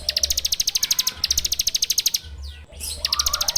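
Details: Ciblek, or bar-winged prinia, in full 'ngebren' song, recorded on Android for use as a training lure: a long, steady run of sharp, bright notes, about eight per second, broken once by a short gap and a soft sweep.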